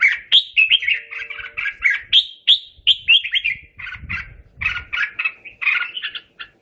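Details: Singing red-whiskered bulbul calling its flock: bright, liquid chirped notes strung in quick irregular groups, some sharper upslurred whistles, with faint low rumbling in the background.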